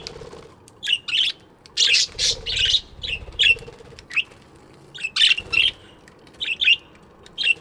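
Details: Morning chatter of budgerigars kept in an aviary, with a steady stream of high chirps and squawks. Several overlapping bursts come every fraction of a second, and soft rustling sounds lie underneath.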